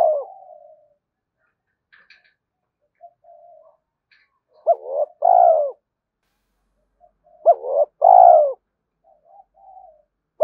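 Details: Spotted dove cooing for stirring and training decoy birds. Quiet, low murmured coos alternate with two louder phrases, each a sharp upswept note followed by a rich falling coo. A few faint higher ticks sound in between.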